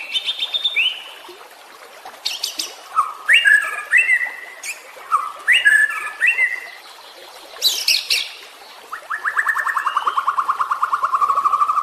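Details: Caged-bird training song of a white-rumped shama: a high whistle, bursts of sharp clicks with rising warbled notes, a harsh high burst, then a long even rattling trill to the end.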